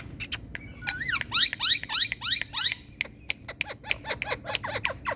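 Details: Rapid chattering from Indian ringneck parrots, a dense run of harsh, sweeping squawks and bent whistles tumbling over one another, several per second, over a steady low hum.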